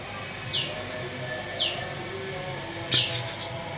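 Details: Caged blue-winged leafbird after bathing: three sharp high notes sliding downward, spaced about a second apart, the last followed by a short chattering burst, over steady background hiss.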